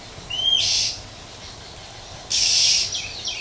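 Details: Wild female Oriental magpie-robin calling in nature to provoke males: a single sharp rising whistle runs straight into a harsh hiss, then a pause, then another long rasping chẹp and soft trailing notes.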